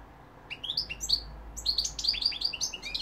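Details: Goldfinch song, 2021, London and Algeria named: after half a second of quiet, a quick run of bright, slurred high chirps and short buzzy trills follows in close succession.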